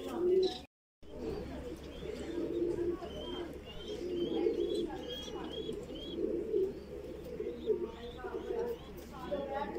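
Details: Voorburg Shield Cropper pigeon, a Dutch fancy breed, with a chick being fed: low, throaty cooing murmurs that run almost continuously, with thin high squeaks over the top and a short gap of silence near the start.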